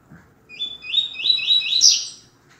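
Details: Coleiro, the Double-collared seedeater, giving a tui tui zel zel canto grosso tutor phrase for teaching males: a quick run of rising, sharply repeated high notes that climbs to a bright, shrill finish.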